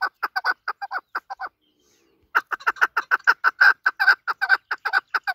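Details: Desi chukar partridge giving rapid chuk notes in two bursts separated by a silent pause of about a second. The second burst is louder and denser.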